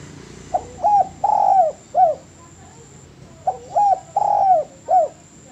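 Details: Clean spotted dove song from a master recording for training birds: two identical phrases, each two short coos, a long curved croo and a closing coo, with a clear pause between them.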